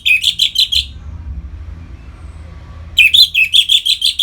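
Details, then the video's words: Orange-headed thrush (anis merah) singing in the ngeplong style to stir other caged birds into breeding condition: two bursts of rapid, loud, chirpy notes around five per second, separated by a two-second pause with faint low rumble. "Suara Ngeplong ANIS MERAH Gacor Memancing Burung Agar Birahi dan Lanjut ke Tahap Teler"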